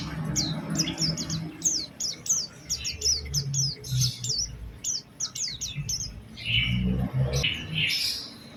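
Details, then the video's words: Oriental white-eye energetic lure song to draw other white-eyes into singing: a long run of bright, high, hooked whistles given several per second, ending in softer, buzzier chirps over a low background hum. "Pancingan Burung Pleci Gacor Cengkok Istimewa"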